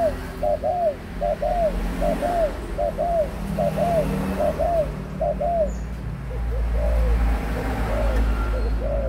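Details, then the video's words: Spotted dove, adult, 18 months: a long run of paired low coos, each a short note followed by a longer curved one, with a rumble of vehicles rising near the end. "cu gáy trưởng thành 18 tháng"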